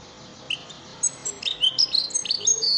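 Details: Goldfinch lesson song of the elmacık style meant for teaching caged birds: after a quiet start, a rapid run of thin, high whistled and twittered notes grows busier and denser toward the end.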